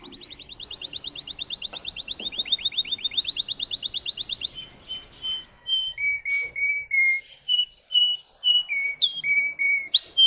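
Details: Russian canary, a breed kept for singing, whose song holds 10-15 high-toned variations over 45-60 seconds: a fast, even trill of high notes gives way to slower, clear whistled notes stepping lower, each repeated several times.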